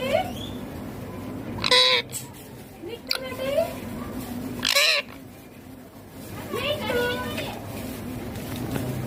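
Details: Pet green ringneck parrot talking indoors: a few short, harmonic, speech-like bursts with sweeping tones, separated by quieter pauses over a low steady background hum.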